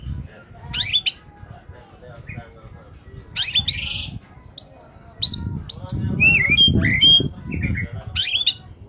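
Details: Oriental magpie-robin in peak form, a lure for catching birds: sharp whistled slurs and scratchy bursts, a rapid sequence of downslurred notes mid-phrase, with low rumbling noise underneath.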